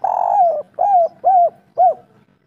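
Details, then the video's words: Local spotted dove, kuk 3 song, used as a lure to prompt other birds: one long level coo followed by three shorter, rounded coos dropping slightly in pitch, clear and close. "Derkuku kuk3 lokal gacor ngamuk suara empuk"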